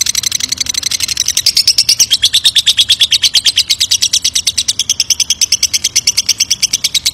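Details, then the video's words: Lovebird ngekek panjang, a lengthy trill used as a lure for a reply: a continuous, very fast chatter of high chirps sustained for seven seconds, wavering slightly in pitch. "Suara pancingan lovebird ngekek panjang pasti langsung nyaut"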